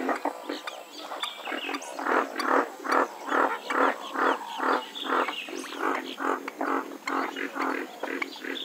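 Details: Western swamphen (Porphyrio porphyrio) producing a fairly regular series of harsh nasal honks, a little over two per second, swelling and fading over eight seconds.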